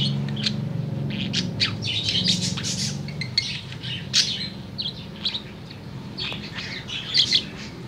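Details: Afternoon warbling of a tame budgerigar: busy, uneven bursts of high chirps and raspy chatter with short pauses, set against a low steady hum.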